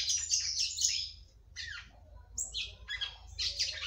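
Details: Female red-cowled cardinal singing to stimulate the male: an opening flurry of high chirps, then separated sweeping notes and a final busy burst, with low hum underneath.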